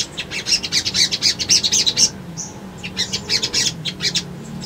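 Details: Sunbird song used to lure newly caught birds into responding and seeking a rival: quick staccato high chips, about two a second, a short smooth whistle, then more chipping.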